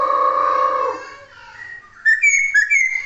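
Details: Laughingthrush in energetic song: a loud low harmonic whistle held for a second, quiet sliding notes, then bright high whistled phrases rising and falling.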